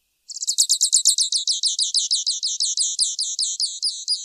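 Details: Grassland yellow finch (Sicalis luteola) song: a fast, steady series of high, sharp, repeated chirped notes, roughly six per second, running unbroken for about four seconds against a silent background.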